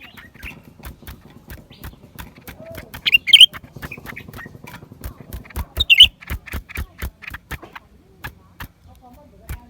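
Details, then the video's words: Lesser green leafbird recorded January 2023: short bright warbled chirps burst out around three and six seconds, set against a steady run of dry, rapid tapping clicks throughout. "เสียงนกเขียวกลาง ปีกสีฟ้า suara cucak ranting"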